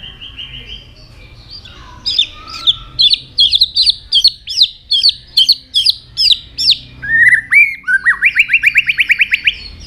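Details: White-rumped shama singing many varied notes while flicking its tail: a steady whistle, then a long series of loud repeated chopped phrases, ending in a fast rising trill.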